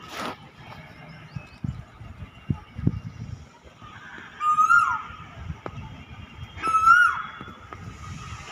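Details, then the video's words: Faint scattered knocks and rustling at first, then a cuckoo gives two rising whistled notes with abrupt downward endings, about two seconds apart. "Sound of nature The Cuckoo"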